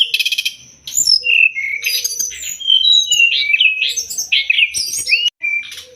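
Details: Training recording of Sumatran leafbird song: a short opening burst of rapid buzzy notes, then a varied string of sweet whistles and quick slurred sweeps changing pitch from note to note.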